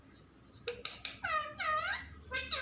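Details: Talking parrot giving a few quick harmonic syllables, then a drawn-out rising and falling vowel-like sound and a final short word.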